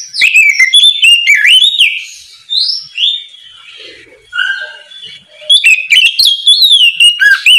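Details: Oriental magpie-robin in ngeplong style singing in the morning to prompt untrained birds. Long, rich runs of clear whistled slides and trills, with one brief quieter pause of faint notes in the middle.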